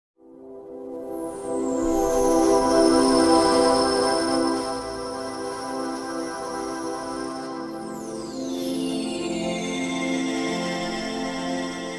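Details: Soft ambient synthesizer music with sustained layered tones and slowly sweeping high chimes, no animal voices present.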